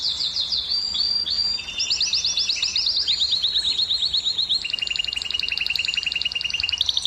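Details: Canary song for stimulating females to breed: a varied run of fast, high trills and rolling phrases, switching between pitch levels every second or so and ending in a steady, rapid chattering trill.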